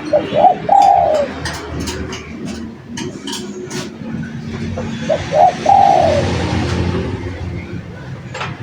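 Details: Lively spotted dove song used as a lure: two phrases about five seconds apart, each two quick coos then a long descending coo, with ticking clicks and low hum between.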